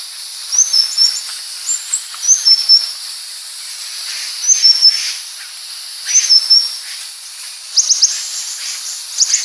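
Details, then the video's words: A purple-throated sunbird (Leptocoma sperata) gives very high, thin, twittering phrases, each under a second, repeated about every one to two seconds over a steady background hiss. "Suara Burung Madu Pengantin (Purple-Throated Sunbird)"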